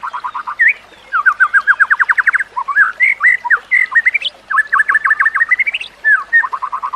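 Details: White-rumped shama song used as a training recording for other shamas: rapid runs of repeated notes around one to two kilohertz, broken by upslurred whistles and short pauses, then fresh trills resuming, with no other sounds apparent.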